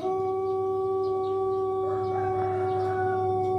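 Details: Pelung chicken from Indonesia, an ornamental rather than fighting breed kept for its distinctive voice, holding one long, steady, tonal crow through the whole stretch, rich in harmonics, with faint chirps above and a low hum beneath.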